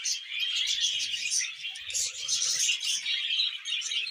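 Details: During mating and breeding, budgerigars give a busy, bright warble of quick chirps and squeaks, dense and continuous throughout, with faint low rustles below.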